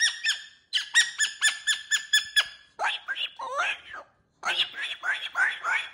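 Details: Pet cockatoo in its cage playing with new jingly toys, talking: a run of about ten evenly repeated hooting 'woo' syllables, a short pause, then a stream of garbled, speech-like chatter.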